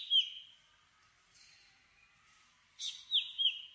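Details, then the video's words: Black drongo, an all-black Asian bird with a forked tail, calling in open country: a harsh downslurred note at the start, then after a pause a burst of three quick descending whistled notes near the end. "Black Drongo Song ! Black Drongo Call ! Black Drongo Sound ! Black Drongo Vocals ! Voice ! Singing"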